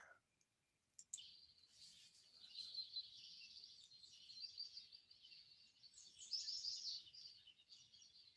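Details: A house wren sings a rapid, bubbling high chatter almost continuously for several seconds, tangled with a warbler's high notes. It was captured by an automated recorder set to record birds at sunrise.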